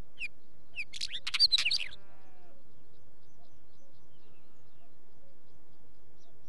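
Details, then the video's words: Wheatear singing: one short, scratchy, jumbled phrase of quick twittering notes lasting about a second, followed by a soft low bleating sound and then quiet. "Wheatear song"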